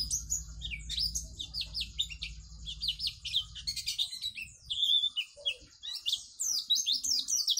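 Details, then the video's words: White-eye (pleci) 'gacor' master song for young birds: busy run of high chirps and descending whistles, pausing briefly then resuming with sharper, louder flicking notes; low hum fades out partway through. "pleci gacor dor || cocok untuk masteran pleci agar cepat buka paruh"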